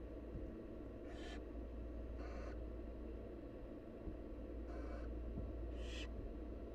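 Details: Wild barn owl chicks in the nest beg as the mother brings food, giving four coarse, breathy hissing bursts at uneven intervals of one to two seconds over continuous low-pitched background hum.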